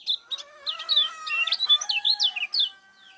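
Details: Short burst of high, bending 'ciak' chirps from a Lombok lemon-bellied white-eye, used as a lure to stimulate other birds, with steady lower tonal notes running beneath.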